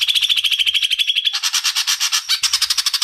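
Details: Greater green leafbird female calling the male: loud, fast chattering of bright, buzzy notes repeated many times per second. The notes change midway into a broader, harsher rattling series, with faint low rumbling beneath.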